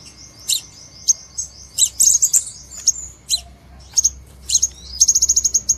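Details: Crimson sunbird lure sound used in trapping: piercing high tsip notes and quick twittering clusters, finishing in a rapid run of about eight evenly spaced sharp ticks, over a steady low background hum.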